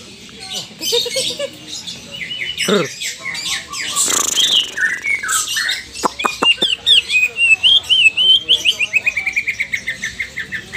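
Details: Lesser green leafbird, a caged bird being trained for competition, practises a rapid trill and answering a rival: a varied, high chattering song of whistles and harsh notes, ending in a fast run of repeated clipped notes several per second.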